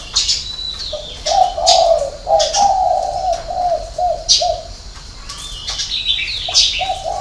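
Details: Six-note hậu 3 song of a spotted dove: a chain of hollow, low coos, the middle ones longer, with scattered high chirps, whistles and clicks from other birds around it.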